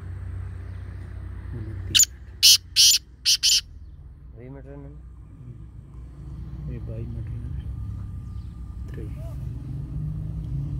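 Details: Black francolin calling: four harsh, rasping broadband notes in about one and a half seconds, followed by softer wavering chirps from another bird and a steady low hum.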